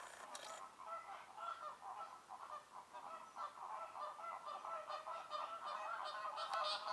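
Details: A flock of American flamingos at Lagunska ribogojnica nature reserve on 4 January 2024 keeps up a goose-like honking chatter, nasal calls overlapping at about three per second with no pause.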